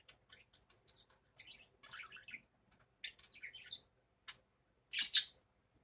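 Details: Budgerigar chattering in the morning: quick high chirps and short warbled notes in scattered bursts, ending with a louder sharp squawk near the end.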